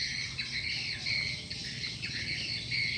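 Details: Swiftlet lure call with gathering, circling birds: steady high, buzzy twittering from many overlapping callers, with short upward chirps scattered through the chorus.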